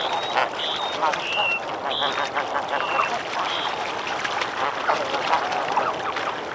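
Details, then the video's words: Snow goose flock splashing and calling in water, with boat-tailed grackles present: a dense chorus of nasal, yelping goose calls overlapping continuously, with a few short high whistled notes and water splashing. "Snow Goose. MCU Splashing And Calling In Water"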